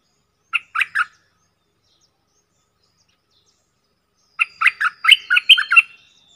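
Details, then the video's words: Bulbul decoy calls from one of four decoy birds, recorded 31 July 2021: a short group of three chirpy notes, a long pause, then a faster run of about eight bright chirps in a clean, quiet setting. "เสียงต่อนกดอกแตงEp.68 เสียงต่อจากป่าจริงๆ นกต่อ4ตัว!!! Suara merbah lekir gacor"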